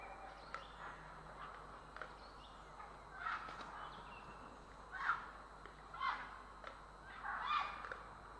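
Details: Recorded in Estonia on 3 April 2017, grey herons utter scattered rough squawks over a steady background murmur, with louder separate calls near three, five, six and seven and a half seconds.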